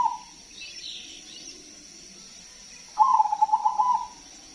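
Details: Big-voiced crossbred zebra dove singing as a lure for other doves: a brief coo note opens, then after a quiet gap with faint high chirping comes a strong, rapidly rolling trilled coo phrase.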